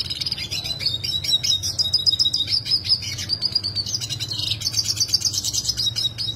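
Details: Yellow siskin singing in the sharp rolling style, original sound: a continuous stream of high, rapid twitters and trilled rolls, with a brighter buzzy burst near the end and a faint low hum beneath.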